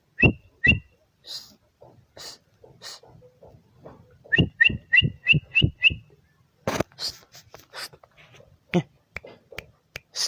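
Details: Two clipped chirps from a bar-winged prinia open the clip. Later comes a brisk run of six bright two-pitched notes, with assorted clicks and hissy noises between.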